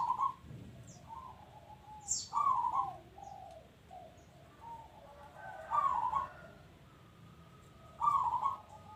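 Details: Local zebra dove in full voice: loud, bubbling trilled coos every few seconds, each trailed by a short run of softer, lower coo notes, with occasional faint clicks.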